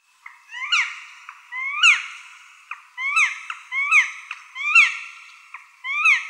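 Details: Black woodpecker, Dryocopus martius: a lively run of short upward-sweeping, ringing notes, uneven and overlapping, several per second, in clear quiet surroundings.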